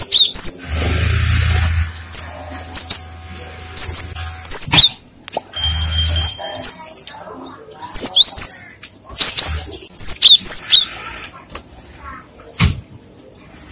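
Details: Lure song of the cinereous tit meant to draw answering birds: clusters of thin high chirps and upslurred notes in spaced bursts, with a low hum and some wing-like flutters in between.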